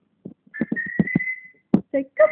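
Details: Pet African grey parrot learning to talk and whistle: a rapid run of clipped speech-like sounds over a long flat whistle, then a few more voiced syllables, in a quiet room.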